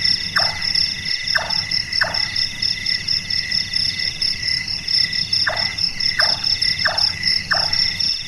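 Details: Large-tailed nightjar (burung tukang) active at night, giving two bursts of hollow, downward-slurred chonk notes, three then four, spaced under a second apart, with constant high-pitched insect drone behind.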